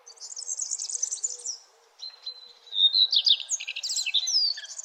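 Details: Sunrise, early morning: a high, rapid chattering phrase, a brief pause, then a long thin whistle. After that come loud jerky chirps and sweeping notes, with other birds faintly twittering behind.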